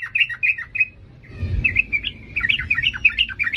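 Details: Ngalas-style singing by a yellow-vented bulbul, bubbling chirped phrases that pause briefly and resume as a faster jumbled warble over a low rumble.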